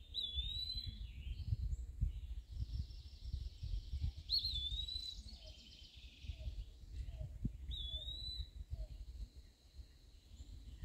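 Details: Eastern wood-pewee singing from a dead branch in the mid-canopy at Point Pelee National Park, Ontario, between sallies after flying insects. It gives clear slurred whistled phrases about every three to four seconds over a low rumbling background.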